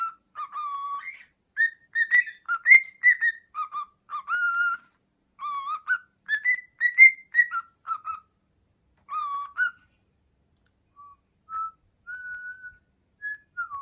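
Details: Male cockatiel kept at home, learning to whistle "Hato Poppo": a run of pure whistled notes in a halting melody, some phrases rising, and the tune trailing off into a few sparse, softer whistles at the end.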